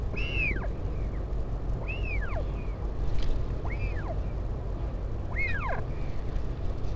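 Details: Northern royal albatross, parent visiting chick at the Taiaroa Head colony near Dunedin, New Zealand, 16 July 2019. Four downward-curving whistled calls come at uneven intervals of one and a half to two seconds, over a low, rumbling wind background.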